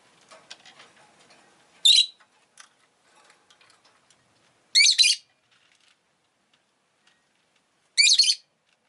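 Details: Pet rosy-faced lovebird giving three loud, harsh chirps spaced about three seconds apart, each a short burst of shrill rising notes, with soft clicking and rustling in between.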